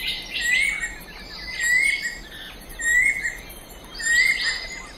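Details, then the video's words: A Banded Kingfisher (Lacedo pulchella), a bird of Southeast Asian forests, gives clear, upslurred whistles, repeated about every 1.25 seconds, over a steady wash of hissing background noise. "Banded Kingfisher"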